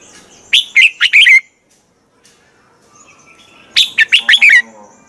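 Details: Morning song of a red-whiskered bulbul, played as a decoy to get other birds singing. Two bright phrases of five punchy, warbling whistles are separated by a long, quiet gap.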